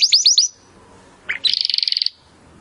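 A Timbrado canary sings four quick, high, sweeping notes, then a short buzzy note and a fast, even trill of about a dozen bright pulses.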